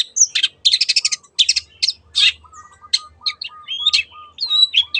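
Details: Long-tailed shrike song, nicknamed teot teot, played as a lure to get other birds singing: rapid buzzy, rasping note bursts in quick series, then sharp whistled slurs and chips, with a faint steady low tone behind.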